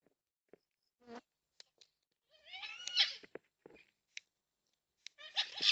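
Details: Yellow-tailed black cockatoos, four wild birds at a backyard feeder in NSW, Australia, 20/3/26, captured on a security camera; a harsh, scratchy wailing call near the middle and another rising rasp at the end, among soft clicks and scrapes.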